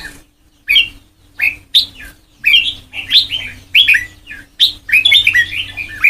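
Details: Rich warbling from a white-cheeked red-whiskered bulbul in Sông Kon style song training: after a short silence, separate slurred whistled phrases come about every second, growing denser and more tumbling toward the end over a soft hum.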